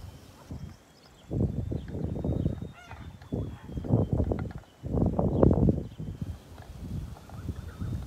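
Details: Kholmogory goslings on a farm on 27 May 2020, calling in rough, low, honking bursts that come in clusters of about a second each, separated by brief pauses, with rumbling background noise throughout.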